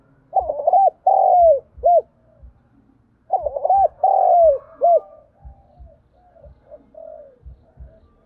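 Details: Spotted dove decoy call used to lure wild birds: low mellow cooing phrases in two bursts about three seconds apart, each a quick stuttered run of coos ending in a longer drawn note, followed by softer coos and faint low knocks.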